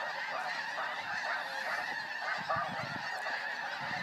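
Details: A flying flock of snow geese: a dense, continuous wall of overlapping nasal honks and yelps from many birds, with no pauses, all blending into a roaring chorus.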